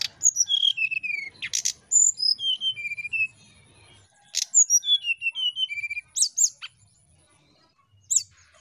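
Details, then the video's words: Brown-chested jungle flycatcher, a bird that rarely sings, in a basic lure recording gives clear sweet whistled phrases sliding down from high to mid pitch, broken by brief sharp chips, in three bursts over several seconds. "SRDC NYIUL NGETREK"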